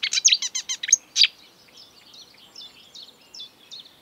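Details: Marsh warbler song that opens with a loud burst of rapid sharp chips and then drops to a faint, scratchy twittering of short high notes. The species copies both European and African birds.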